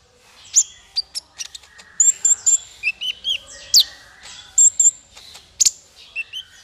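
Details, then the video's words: Male kolibri ninja sunbird singing, used as a training song for songbirds: rapid high, thin chirps and sharp downward-sweeping notes in loose bursts, with brief trills between, clean background. "Suara konin untuk masteran burung 100%jitu konin jantan"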